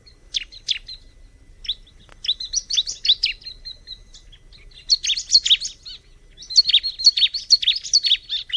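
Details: High, scratchy chirping song of a bar-winged prinia in three bursts separated by short pauses, with quick notes and a thin sustained whistle running through the later phrases; quiet background.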